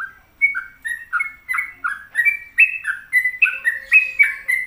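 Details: Sooty-headed bulbul in energetic gacor song, clear fluty whistles rising and falling in quick succession, the phrases climbing slightly higher toward the end, with a faint steady tone underneath.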